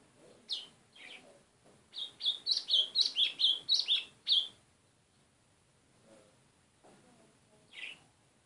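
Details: Golinha, or white-throated seedeater, singing a tight series of about a dozen high, slurred chirps in the middle of the recording, with a few separate single notes before and after.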